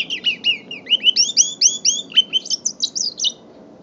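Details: Young mule canary, five months old, delivering a steady series of clear upslurred whistled notes, about four per second, ending in a short burst of higher twitters; faint low hum behind.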